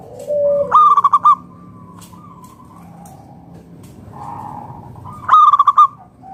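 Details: Two bright rattling bursts of five or six rapid notes from a local wild-type zebra dove, about four and a half seconds apart, sung to lure other doves into singing; a quiet low hum fills the gap.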